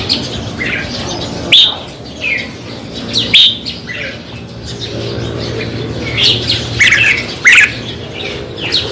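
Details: Red-whiskered bulbul song, used as playback to stir up caged birds: short bright chirped phrases and sharp notes in scattered bursts every second or two, separated by quiet gaps, over a steady low hum.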